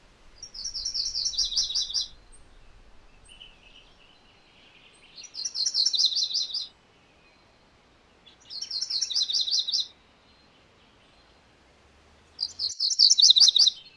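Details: MacGillivray's warbler (Geothlypis tolmiei) singing four times, each song a roughly one-and-a-half-second burst of high, rapid chipping notes that drops to a lower second part, repeated about every three to four seconds over quiet background.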